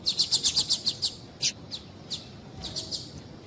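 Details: Female double-collared seedeater, a captive bird kept by tournament breeders, calling to excite the male: a quick run of about eight sharp, high chirps in the first second, then scattered single chirps with pauses between them.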